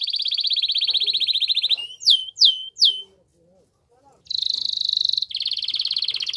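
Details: Canary singing strongly to excite a female for mating, with a steady fast trill, three sharp down-slurred chirps, a short quiet gap with faint soft sounds, then two more bright buzzing trills.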